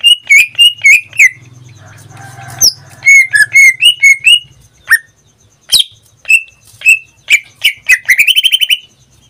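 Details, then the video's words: Indonesian pet greater green leafbird, kept caged and singing nearly every day, delivers rapid descending whistles, a low rumbling pause, then sharp clicks and a fast trilled run of high notes at the end. "Suara cucak ijo suaranya tidak diragukan lagi"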